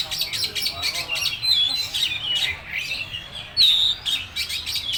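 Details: Oriental magpie-robin in "full materi" song: soft scratchy twitters broken by two long, pure whistled notes, the second loud and sharp.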